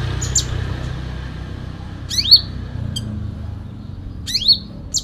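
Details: Sooty-headed bulbul in full fighting-song style: two loud, liquid swooping whistles a couple of seconds apart, each sliding sharply, plus a few short high notes, over a low rumble of passing vehicles.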